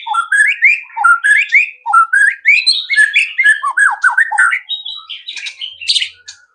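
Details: Lure song of a white-rumped shama, played to get other birds singing fast and showing their repertoire: a steady run of rising whistled slurs, roughly one a second, flowing into busier mixed chirps and high notes.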